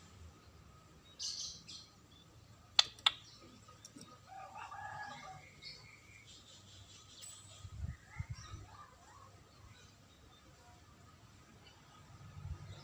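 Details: A white-rumped shama (Copsychus malabaricus) sings varied whistled and chattering phrases, some rising, with sharp clicks and a steady high background hiss.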